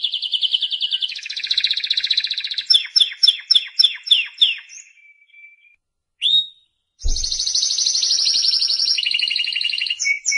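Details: A Spanish Timbrado canary (Serinus canaria) sings rolling, metallic trills, then a run of about eight rapid falling notes, a brief pause, and more high sustained trills.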